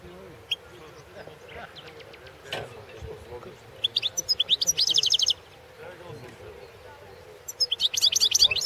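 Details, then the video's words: European goldfinch singing in a 2016 world championship goldfinch song competition recording: two bursts of bright, high, rapid twittering and tinkling notes, separated by quieter pauses with a steady low hum beneath. "World championship in Goldfinch Song 2016"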